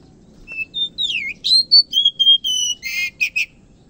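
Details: Morning song from an actively singing Oriental magpie-robin: a soft whistle, then a rich sequence of sliding and level whistled notes ending in a scratchy buzz and two short chirps, with quiet low hum behind.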